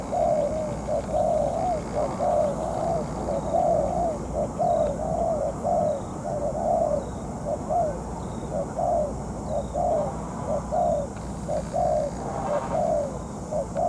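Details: Spotted dove decoy in moult during a ground-trapping session: continuous low cooing, short notes strung in regular runs, with faint high chirps and a brief voice near the end.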